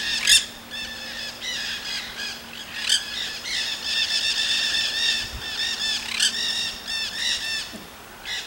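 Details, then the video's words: Wild Nanday parakeets in Solstice Canyon, Malibu, California, filmed 9 March 2017; a chorus of raspy, buzzy chatter and harsh squawks continues throughout, with a few louder sharp shrieks standing out and a faint low hum behind. "Nanday Parakeets in Solstice Canyon"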